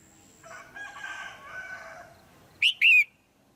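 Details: Caged female red-whiskered bulbul giving a call meant to stimulate a male or for pairing: two loud whistled notes, the second drawn out and falling. Before them comes a lower, harmonic, drawn-out call from another bird.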